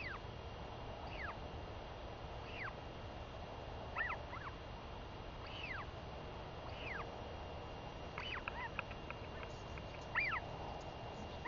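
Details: Female northern royal albatross chick asking her mother for food after a week-long absence at sea, May 2021; single arched squeaks roughly every one to two seconds, with a brief rapid flurry near the end, over steady noise.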